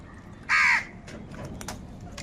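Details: A single loud, rasping crow caw lasting about a third of a second, then quiet background with faint clicks and soft rustling.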